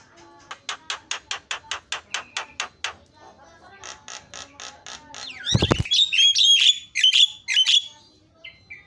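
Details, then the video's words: Javan myna call meant to make other mynas answer: an even series of sharp ticking notes, a pause, more ticks, then a loud thud and a rush of warbled, wavering whistles. "JALAK KEBO SUARANYA BIKIN JALAK PADA TERIAK"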